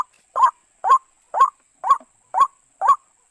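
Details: Short burst of white-breasted waterhen calling, used to lure birds into a trap: six or seven gruff, slightly rising croaks about half a second apart, quiet gaps between them.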